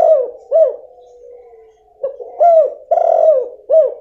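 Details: Female spotted dove cooing, a call meant to provoke a quiet male into answering: low, hollow coo notes in uneven groups, with a brief gap filled by a faint humming tone before the coos resume.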